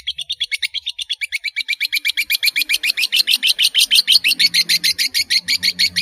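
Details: Long-tailed shrike, sung to help juveniles learn calls: a long rapid chatter of harsh notes, about seven each second, held for six seconds, with faint low rumble behind.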